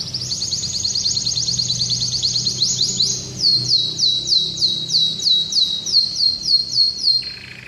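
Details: Orange domestic canary (Belgian canary) singing in training: a fast, high rolling trill, then a run of repeated sweeping whistled notes.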